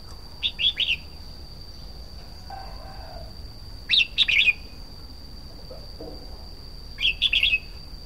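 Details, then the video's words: Red-whiskered bulbul singing: three short, bright, warbled phrases about three seconds apart, each a quick cluster of rising and falling notes. A faint low murmur sounds between them, and a steady high electronic whine runs throughout. "Chim chào mào hót"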